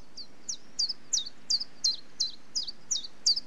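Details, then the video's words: Common chiffchaff singing a steady run of high, sharp notes, about three a second, alternating in pitch like chiff-chaff, with faint background hiss. "Chiffchaff Bird Call - Bird Song"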